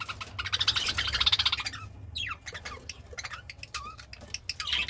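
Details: Happy pet budgerigar eating greens: a rapid, buzzy chattering warble, then several sharp downward-sweeping chirps and short whistled notes, over a low steady background hum.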